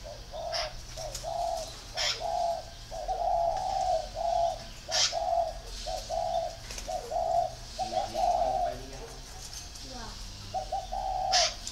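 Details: Spotted dove cooing: a series of low, mellow hooted notes in short phrases repeated through the recording, some notes doubled, with faint chirps and light background hiss.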